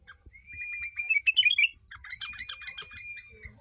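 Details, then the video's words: Caged sooty-headed bulbul, known locally as kutilang, from Tegal, Indonesia, singing in a style imitating the long-tailed shrike: a long thin steady whistle threaded with rapid chattering, scratchy notes, with a short pause midway; faint low hum. "Kutilang jawa Gacor rasa cenDet"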